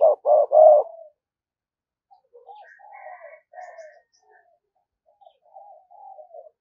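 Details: Decoy spotted dove cooing in the 'thúc gù' style meant to draw in wild doves: three loud, rapid coos open the recording, then only faint, scattered murmuring coos and soft higher notes.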